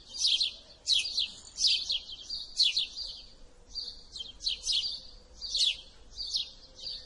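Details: House sparrow chirping: bright, high, slightly buzzy double and triple chirps repeated about once a second, over a faint low background hum.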